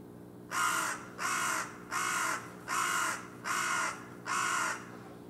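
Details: Pair of wild carrion crows, new rivals perched on a utility pole near a factory and block wall, calling on a February evening; six loud, harsh, grating caws, each about half a second, repeated steadily every 0.8 seconds over faint hum.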